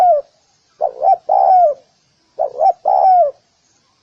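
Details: Spotted dove calling to lure other doves: a three-part cooing phrase, two short hooked coos then a longer falling coo, given twice with pauses between.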